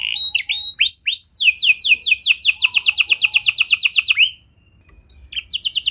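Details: Lure song of a canary meant to set off other canaries: a few whistled slurs lead into a long series of quick descending sweeps, a short pause, then the singing resumes.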